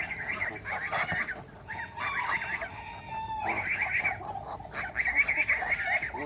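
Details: Roosters and hens of several breeds in a backyard farm holding over 100 animals; drawn-out, harsh calls overlap, with one longer sustained crow-like note in the middle, amid a busy flock chorus.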